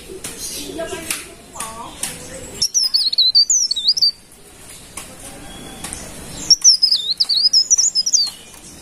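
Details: Golden-bellied gerygone giving rapid, high, tinkling whistled phrases that wobble up and down, sung twice after an opening stretch of clattering and rustling noises.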